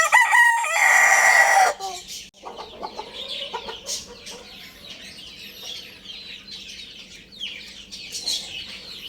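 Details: A young Lohmann Brown rooster gives one short, loud, strained crow lasting under two seconds, followed by quieter clucking and scratchy background chatter from other chickens.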